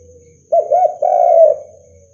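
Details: Spotted dove (derkuku), an energetic caller whose voice is meant to fire up rival doves. One deep phrase: two quick rounded coos followed by a long, even, hoarse coo that fades out. A steady faint high hum is in the background.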